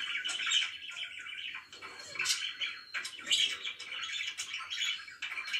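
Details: Pet budgerigars chirping in the morning: busy bursts of high, scratchy chatter and short tweets, with brief pauses between phrases and a quiet indoor background.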